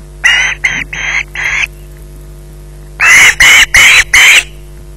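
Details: Osprey with a fish at the nest, Loch Garten, evening at 20:33. Four rasping screeches come in quick succession, then a silent gap of over a second, then four louder, harsher screeches, with a faint low hum throughout.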